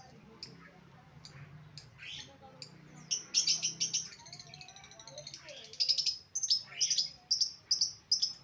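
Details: Lovebirds giving sharp high squeaky chirps, first spaced out, then in rapid bursts of shrill repeated notes, with faint low murmuring in the background.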